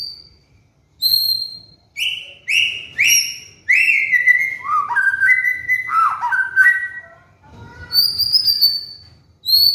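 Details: Trigger song of a white-rumped shama meant for training caged birds during molt: a high thin whistle, then bright downward-sweeping whistles building into a fast run of varied notes, ending in a sustained high whistle.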